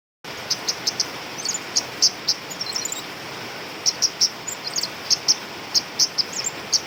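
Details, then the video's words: Female flowerpecker (cabai rimba) calls used to lure birds: very high, short ticking chirps given singly or in quick pairs and triplets at uneven intervals over a steady background hiss. "Suara Master/Pikat Burung Cabai Rimba Betina"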